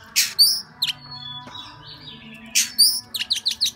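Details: Oriental magpie-robin, song style "múa 13 kiếm": a few loud, sharp high notes, a quiet pause with faint tones, then another quick run of chirps, over a constant low hum.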